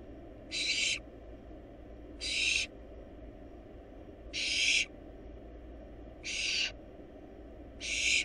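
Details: Wild barn owl nestlings in a monitored nest box, feeding on a large rabbit: harsh, breathy hissing bursts about half a second long, five in eight seconds at uneven spacing, over a steady low background hum.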